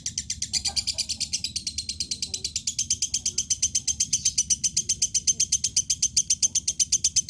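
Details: Lovebird song: a long, fast, steady trill of high pulsed notes, about four per second, with faint voices in the background.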